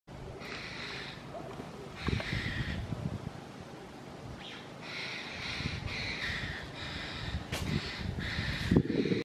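Long-tailed glossy starling giving harsh, nasal, grating squawks in short bursts about every second or two, over low rumbling background noise and rustling.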